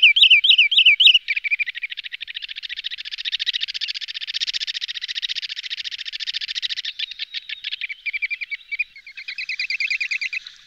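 Wood Sandpiper: four quick, high whistled notes, then a long, rapid, slightly buzzy trill that breaks into chattering phrases. No other sounds stand out.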